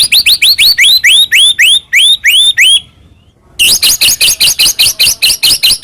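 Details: White-rumped shama song used to lure another shama into singing: a steady series of upslurred whistled notes, about three per second, a pause, then a rapid run of high, sharp repeated notes.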